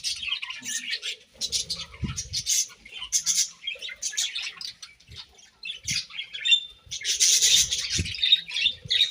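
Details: Budgerigars eating grass, squawky chirps and warbling bursts coming in irregular clusters, louder near the end, with occasional low knocks.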